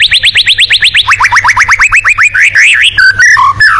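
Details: White-rumped shama performing tembakan, a song style for competition birds: a fast run of evenly spaced rising notes, about five per second, dropping in pitch partway, then wavy warbled whistles.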